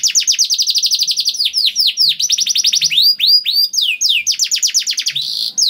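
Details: Canary lure song with long rolling trills, used to prompt other canaries to sing: fast runs of high, sharply descending notes repeated about four per second, switching between trill types, continuous and loud.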